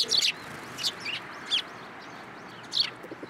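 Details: Hand-fed sparrows at a Japanese Tenmangu shrine on 13 April 2023; four bright, high chirps spaced irregularly, loud and close, over a quiet hissy background.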